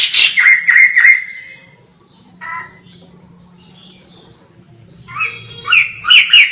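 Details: Energetic white-crested laughingthrush, recorded from afar, opens with a quick string of loud falling whistles, goes nearly quiet over a soft low hum, then bursts into bright, rising ringing phrases.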